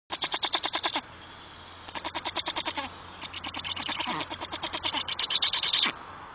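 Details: Black storks greeting one another at the nest as the third young arrives, raspy, hissing calls in fast pulsed bursts, about ten pulses a second, in three overlapping bouts over six seconds.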